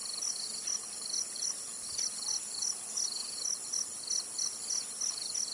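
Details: A zitting cisticola in Tainan, Taiwan, gives brief piercing notes in a steady series, with a constant high insect hum behind.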